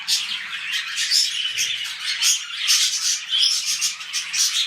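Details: Pet budgerigars in mating behaviour, starting a new breeding round, chatter in a dense, raspy warble studded with sharp whistled chirps.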